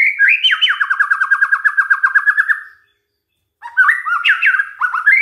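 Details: Shama lure song meant to provoke other white-rumped shamas to sing: a long fast rattling trill of evenly repeated rolling notes, a short silence, then a lively jumble of stepping whistles.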